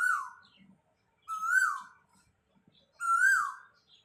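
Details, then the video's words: Cuckoo (koel) calling from close by, perched on a rooftop-side tree in a village yard; three loud clear whistled notes rising then falling, each about half a second, repeated every one and a half seconds in quiet surroundings. "কোকিলের মধুর কন্ঠের ডাক"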